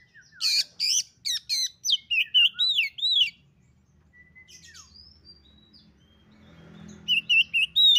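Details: Female Oriental magpie-robin calling to a male: harsh chirps and wavering whistled loops in a quick run, then a quiet pause with faint thin whistles, and another burst of bright looping notes.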